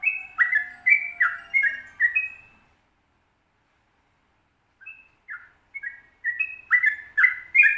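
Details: Sooty-headed bulbul with 'ropel panjang' long song: a burst of quick fluty whistles, a pause of about two seconds, then softer notes building back into the lively warbled chain.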